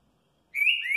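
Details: Green-winged saltator, used to warm up other saltators, gives clear, high whistled notes after a brief silence, the second sliding upward, in a short fragment of its "curril curril rô" song.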